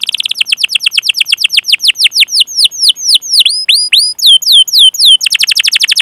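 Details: Canary with long chirping and rolling song for stimulating other canaries: rapid swooping notes that gradually slow and lengthen into curved whistles, then break into a fast, dense trill.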